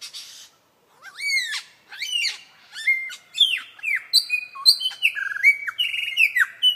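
A lyrebird pours out a rapid, varied medley of loud ringing whistles, sharp upslurs and falling squeals, roughly one burst per second, mimicking other sounds.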